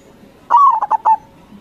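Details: Persistently singing crossbred zebra dove used as a lure for local birds: one quick phrase of a soft, slurred coo breaking into three or four rapid bubbling pulses, with a low steady hum behind.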